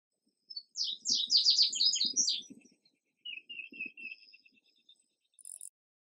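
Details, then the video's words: Indigo bunting song: a rapid string of sharp, high, downslurred whistled notes lasting about two seconds, followed by a softer series of lower, slightly buzzy notes and a final brief high note, with faint low thumps underneath. "Indigo Bunting Song"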